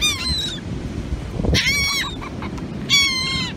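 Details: Seagulls being fed raisins on a North Carolina beach: harsh, nasal, slightly descending squeals from several birds in three bouts, over steady surf and wind rumble.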